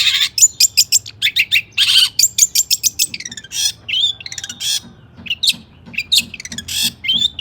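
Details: Agitated long-tailed shrike song meant to stir other shrikes to answer: quick runs of clipped high notes and rasping bursts early on, then looser whistled and squeaky phrases separated by short gaps.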